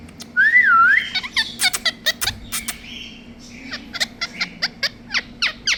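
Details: Parrots giving a clear wavering whistle that rises and falls, then a burst of harsh squawks followed by a regular series of short sharp chirps, over a faint background hum.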